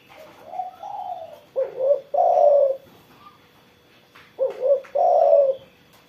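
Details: Energetic spotted dove song following morning sunning: a quiet lead-in, then a short double coo and a long, full, mellow note, repeated twice with a pause between. Weak distant chirps are also audible.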